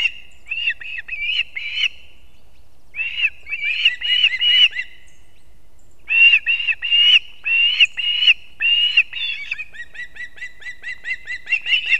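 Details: Osprey at a nest in Kurzeme, Latvia, filmed by a live nest camera at 6:40 am on 3 September 2024 as the father brings two fish at once to the young; loud repeated whistled chirps in bursts, short gaps, then rapid series.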